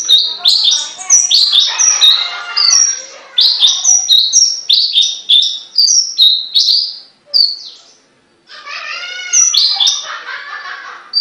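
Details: Caged songbird singing a fast chattering song of high chirps and short whistled notes, with buzzy harmonic phrases between, running continuously, pausing briefly, then resuming.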